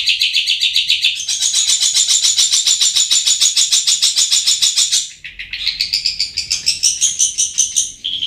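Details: Long-tailed shrike song used as a lure to get reluctant birds singing: a loud, fast, high stream of buzzy notes, each pulse repeated several times a second, rising in pitch after one second, a short break, then a rising trill.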